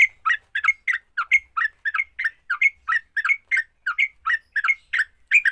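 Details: Fighting song of a sooty-headed bulbul, used to make other bulbuls sing. It is a steady run of short chirpy, bubbly phrases, each a quick down-up slur, repeated about every third of a second.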